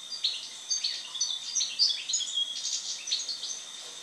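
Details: European goldfinch after its moult, singing a continuous run of quick, tinkling high twitters and trills that barely pause, with a steady high background whine.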